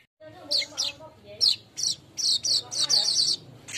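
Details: Lively golden-headed weaver song meant as a training lure for caged birds: bursts of sharp, high chirps and short buzzy notes, spaced irregularly, with faint low background murmur.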